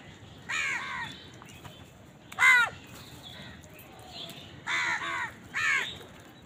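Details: House crow calling while eating, perhaps amid a squabble over food: spaced harsh caws, one loud arched caw in the middle, then a closer pair near the end.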